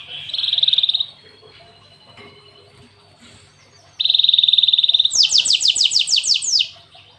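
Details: Cinereous tit performing canary-style song: two sustained buzzy trills followed by a rapid run of very high notes sweeping steeply downward.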